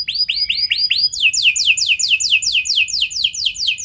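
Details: Canary singing a lure song meant to get other canaries singing, in the ornate 'cengkok mewah' style with long 'nembak' bursts: a row of rising whistled upsweeps gives way to a fast run of falling, rolling notes.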